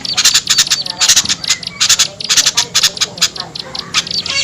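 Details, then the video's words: Harsh, squawking chips in quick clusters, high and buzzy, played to draw small birds down; short gaps separate the bursts. "SUARA PIKAT AMPUH UNTUK BURUNG KECIL SUSAH TURUN"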